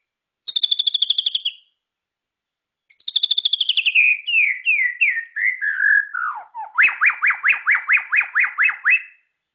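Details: Murai ceram (white-rumped shama) song opening with a fast high rattling trill, repeated after a pause. It then runs into a chain of descending whistled slurs and ends in a rhythmic series of about ten sharp rising whistles.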